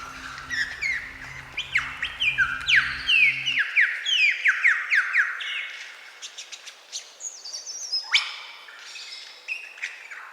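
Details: A Superb Lyrebird in eastern Australia, a noted mimic, pours out a rich, varied run of loud whistles, sweeping notes and sharp clicks, shifting quickly from phrase to phrase; a low musical hum underlies the first seconds.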